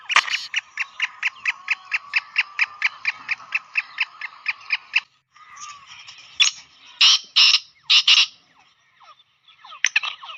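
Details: Black francolin call used to summon the bird and bring it into an excited state: a fast train of about twenty dry clicking notes, then a pause and several louder harsh rasping blasts.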